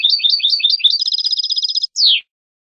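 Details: European goldfinch song from a tutor recording for young birds: bright jingling twitters merge into a rapid, buzzy trill, then pause before one clear, downward-sliding note ends the phrase.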